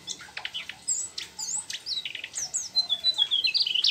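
A Mugimaki flycatcher pours out a rapid, high, varied song of chirps, squeaky whistles and slurred notes, including imitations of a bulbul. No other sounds stand out.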